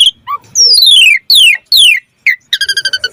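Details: Asian pied starling in varied lure singing for other starlings: long downward-sweeping whistles repeated three times, then a short drop and a fast series of harmonic-rich pulses.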